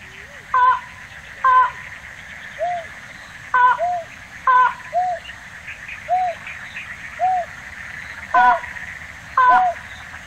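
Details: Slaty-legged crake in Tainan City, Taiwan, recorded 9 December 2019: short, low, arched hooting notes about once a second, mixed with higher, stacked nasal notes, over a steady background hiss.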